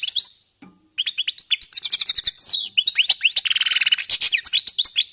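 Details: European goldfinch song during warm-up: a dense, fast run of tinkling chirps, rattling trills and a buzzy wheezing stretch, continuous after a short opening pause.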